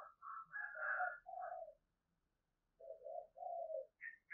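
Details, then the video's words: Decoy spotted dove, a cu gáy mồi, calling with thúc and gáy calls. Soft, hollow coos come in two phrases: a run of about four notes, a pause, then a lower three-note phrase, with short higher chirps at the end. "Tiếng chim cu gáy mồi đẹp mã hót hay, thúc và gáy gọi"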